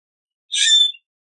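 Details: Common grackle giving a single short, harsh, squeaky song burst of about half a second, high-pitched and buzzy, with no other sounds.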